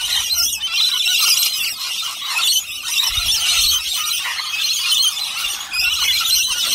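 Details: Several lorikeets eating a nectar and honey mix from a bowl, filling the air with loud, harsh, continuous screeching and shrill squeals that overlap without pause.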